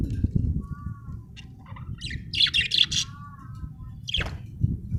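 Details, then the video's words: Budgerigar chirping: short harmonic warbles, then a burst of bright, scratchy chirps and a quick downward squeak, over steady low rumbling background noise. "budgie chirping sound"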